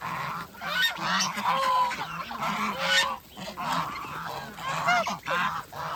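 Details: Farm geese feeding in the countryside give a run of nasal, harmonic-rich honks, some rising then falling, nearly continuous across six seconds with brief gaps, several birds overlapping.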